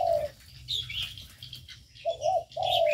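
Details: Aviary birds: one low coo, then high thin whistled chirps, then two more mellow coos close together, all over a faint hum.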